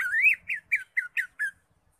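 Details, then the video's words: Greater green leafbird in ngekek style, giving a rapid run of six hoarse, squawky notes, the first longer and rising, the rest short and clipped, then silence. "CUCAK IJO SUPER NGEKEK"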